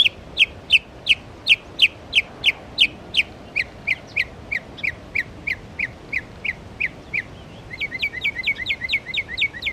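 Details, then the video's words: Northern mockingbird giving a litany of other birds' songs at Belle Isle Marsh Reservation, East Boston, Massachusetts. Sharp high chips come about twice a second, then a faster run of clipped doubled notes at the end, over a quiet background. "Northern Mockingbird bird songs"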